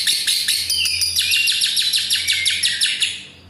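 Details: Lovebird's long ngekek trill, used as a lure and master recording for young birds learning long pulls: shrill, rapid chattering pulses, high and dense, running unbroken for about three seconds before fading.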